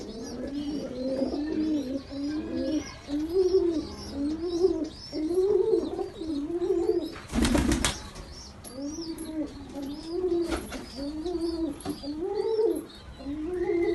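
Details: Angry baby pigeon being attacked, repeating low arched moaning notes about every half second in an uneven series, broken twice by loud bursts of scuffling or wing noise.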